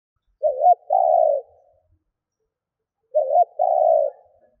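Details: Lure spotted dove, kept to attract wild doves, cooing twice: a quick stuttering pair of notes, then a drawn-out low mellow hoot, repeated after about two and a half seconds in a quiet setting.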